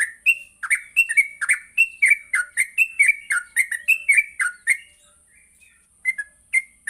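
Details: Morning training song from a gacor yellow-vented bulbul: a quick run of bubbly, slurred chirps, about three a second, then a pause before two more notes, all over a constant high-pitched hiss.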